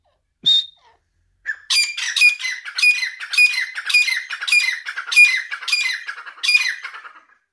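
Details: Iranian partridge (teetar) giving a brief sharp note, then after a pause a rapid run of rasping, squawky calls, each with a thin whistled edge, repeated roughly twice a second for about six seconds, with a quiet background.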